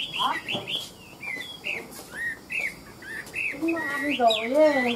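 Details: Tame 'ngũ trường' Chinese hwamei, described as a good fighter: clear whistled phrases rising and falling, followed by a stretch of lower, layered wavering tones near the end.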